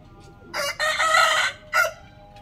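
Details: Morning rooster crow, loud and raspy: a short first syllable, then a long sustained middle section, and a separate clipped final note near the end, over faint low background noise.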